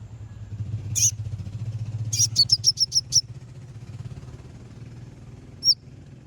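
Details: Konin bird singing, a song used to provoke rival birds into singing: a few sharp high notes, then a quick series of about six piercing high chirps, with a steady low hum beneath.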